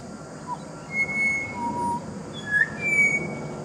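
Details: Pied butcherbird in a garden, with partner and juvenile present: scattered clean whistled notes at varied pitches, some sliding, spaced across a few seconds against a low rumbling background.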